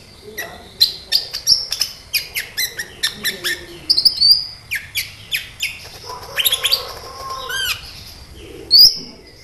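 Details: Sunbird ('kolibri ninja') song used as a lure to make sunbirds respond and sing: a long run of sharp, high ticking chirps broken by thin rising whistles and a brief rattling squawk near the end.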